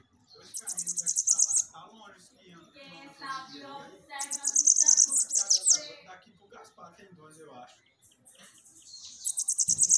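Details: Bananaquit song played to excite captive birds: three bursts of high, rapid, buzzing chatter, with low voices and clatter heard between them.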